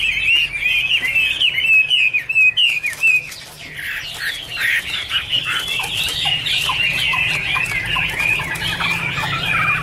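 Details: Chinese hwamei warbling a run of fluid whistled notes, then shifting into a busier, rougher stretch of fast chattering and slurred phrases that continues to the end.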